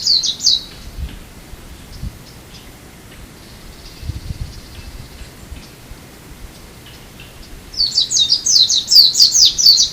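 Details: A Japanese white-eye calls on Amami in February: a short burst of high, thin chattering notes, a quiet pause with faint distant chirps, then a louder, rapid twittering series at the end.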